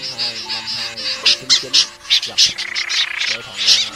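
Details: A snipe lure recording for night-net trapping of migrating birds, August 2023, Vietnam: harsh, rasping calls repeated several times a second, with low tonal music playing underneath.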